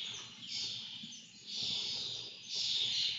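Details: Lesser kestrel begging as it is fed, three drawn-out, harsh, wheezy screeches, the last loudest and most strained, with a soft low hum behind.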